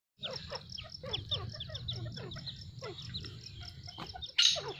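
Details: Pair of Dakhni teetar (grey francolin): rapid series of sharp, high, downward-slurred notes repeated about three times a second, ending with a louder shrill squeal, over a steady low hum.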